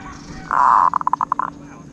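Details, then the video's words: Zebra dove giving a good 'aod' cooing song: a loud, steady, buzzy note near one pitch, followed by a quick run of about nine short, clipped coo pulses that fade out, over faint background hum. "นกเขาชวา ออดดีๆ เสียงดีๆ"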